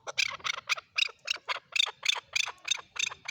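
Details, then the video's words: Male chukar giving a brisk run of loud, rasping chuck notes, about three to four a second, evenly spaced and strong throughout. "My best Male chukar sounds Male chukar calling //Male chukar voice"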